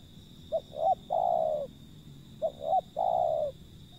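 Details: Two repeated cooing phrases from a wild zebra dove, nearly two seconds apart. Each is two brief notes leading into a long, low, downward-sliding coo. A steady high tone hums throughout.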